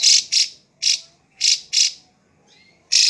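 A drongo gives harsh, rasping bursts in quick, uneven succession, with a few faint thin whistles slipped between them.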